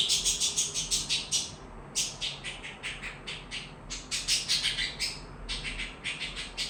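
A budgerigar chirps in quick, bright bursts, a high chattering series with brief pauses.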